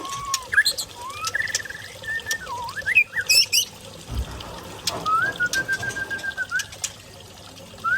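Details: Young pair of white-rumped shamas from the Lamno forest, Aceh Jaya, giving rich whistled phrases, swooping up and down, then a long level note, with a thump and background hum.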